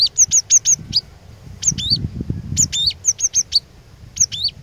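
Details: Cinereous tit giving scattered bursts of high sharp chips and short hooked whistles in irregular clusters, with gaps of low rumbling and clattering noise between them.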